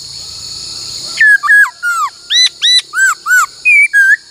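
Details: Female laughingthrush singing many-voiced training song, a quick run of loud arched whistles, about three per second, ending in two level notes, over a constant high hum.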